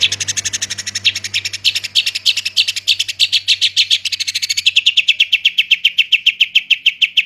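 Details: Long-tailed shrike delivering fast, tight 'roll tembak' song: a continuous stream of quick, high, scratchy notes, several per second, ending in a clean repeated chatter, with a low hum behind it for the first few seconds.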